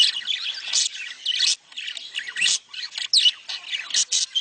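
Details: Budgerigars calling to stimulate mating. Choppy high chirps and squawks come in uneven bursts, with a brief lull around one and a half seconds.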